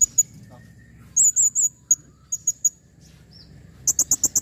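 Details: A female blue-crowned hanging parrot calls with shrill high chirps, single and in short groups of three, ending in a fast burst of five sharp ticking notes.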